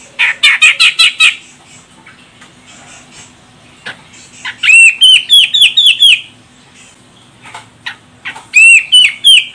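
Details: Female grey-cheeked bulbul from Medan, Sumatra, calling to provoke a male to sing: a harsh chattering burst, a quiet gap, then loud series of upslurred, whistled notes repeated in quick succession.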